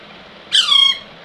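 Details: Baby Alexandrine parakeet giving a single harsh, nasal squawk that slides downward, lasting under half a second in a quiet room.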